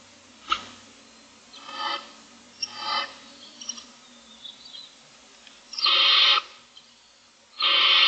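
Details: Hungry barn owl owlets, six in the nest, filmed in the morning: several faint, breathy hisses and small clicks, building to two loud, harsh, drawn-out rasps near the end.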